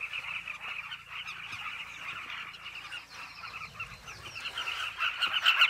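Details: Carmine bee-eaters at a cliff nesting colony: a dense, continuous chorus of many overlapping short, throaty calls, steady throughout and swelling louder near the end, with a few higher chirps above.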